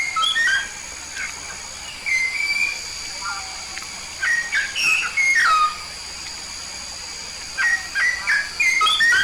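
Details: Yellow-faced myna from Papua, described as a keen, vocal singer: short clear whistled notes, some rising and some falling, given in bursts with brief pauses, over a steady high ringing hum in the background.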